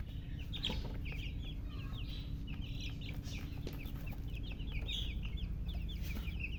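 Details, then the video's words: A crowd of just-born chicken chicks chirps in overlapping, high, falling peeps, some louder and more piercing than others, against a heavy low hum. "Tot Murgi chicks chirping sounds Just Born Baby Gallina FRACAS Chicks Piar Loudly Sound"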